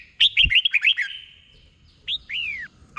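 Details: Doubled 'bueng'-style song of a red-whiskered bulbul, delivered slowly for caged birds to copy: a quick string of five chirpy whistled notes, a pause, then two longer down-curving whistles.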